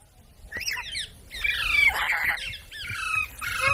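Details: Parrot presented as a talking bird mimicking human speech; harsh, noisy squawks with rasping upper overtones, a sustained grating burst in the middle and another near the end, over faint background rumble.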